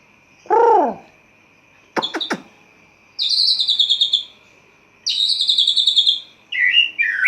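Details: White-rumped shama in a cage singing at dawn: a dropping chuck-like note, a few sharp clicks, then two long buzzy descending high trills and short warbled notes, over a faint steady background tone.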